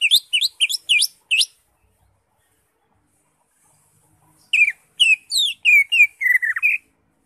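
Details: Greater green leafbird in ngekek-style song: a fast series of sharp, high chirping notes, a long silent gap, then another rapid string of slurred whistles and chips, about three per second.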